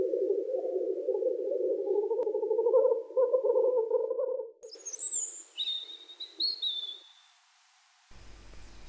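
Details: Black grouse lekking at dawn in spring woodland with a steady, low, bubbling rookoo that rolls on for several seconds, followed by thin, high whistles from another bird.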